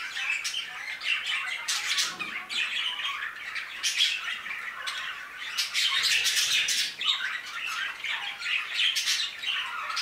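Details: Budgerigars in an aviary keep up a noisy chatter of rapid, irregular chirps and short squawks, with brief louder surges from several birds at once.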